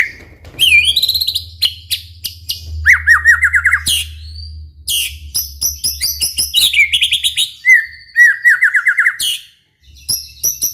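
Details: White-rumped shama in full song, used to coax other shamas into singing; varied whistled phrases, fast descending note series and sharp chips, with short pauses between bursts and a faint low hum.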